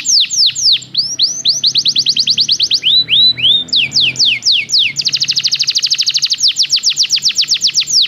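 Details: Belgian canary song meant for training: fast series of high slurred notes, shifting to slower swooping phrases, then a dense rapid trill of repeated notes through the final three seconds, with a low background hum.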